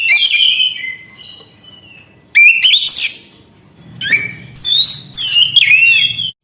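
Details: Loud, varied song from an Orange-headed thrush: fluting whistles and fast chattering trills in several separate bursts, some notes climbing steeply, with quiet gaps between.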